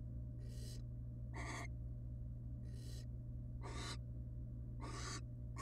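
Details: Pair of wild barn owls at a monitored nest with chicks, female affectionate toward male: six drawn-out hissing screeches, each under half a second, at uneven intervals over a steady low background hum.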